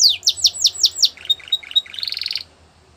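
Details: Singing Belgian canary, meant as training material for young birds: several loud downward-slurred whistles, then softer clipped notes, finishing with a fast high rattling trill before silence.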